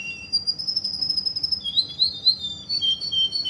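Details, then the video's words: Russian canary, Kuwait, holding a long steady high whistle, then breaking into a wavering rolling trill of quick repeated notes. "Russian canary"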